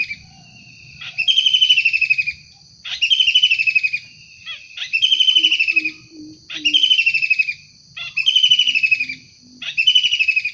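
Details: Wild long-tailed shrike calling insistently: six buzzy, rapidly pulsed screeches repeated about every one and a half seconds, each slightly falling in pitch, with faint low notes and a steady high hum behind.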